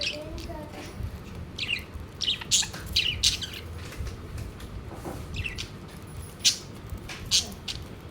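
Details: Around their food plate, with little food apparently left, pet budgerigars give separate sharp chirps and short squawky notes, spaced irregularly, over a low steady background hum.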